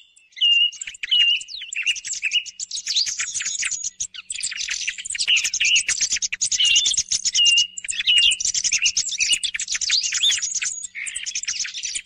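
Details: Thrush song used as a morning hunting lure: almost continuous dense chattering and squeaky notes, with short whistled motifs recurring among the rapid phrases.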